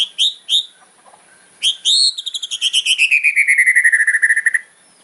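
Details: White-rumped shama singing a hard, fighter-style song meant to provoke rivals: two short whistled notes, then a rapid rattling series of about twenty pulses sliding gradually downward in pitch.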